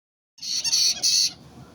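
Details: White-bellied caique parrot giving two loud, harsh, shrill screeches in quick succession, each about a third of a second long, then quiet.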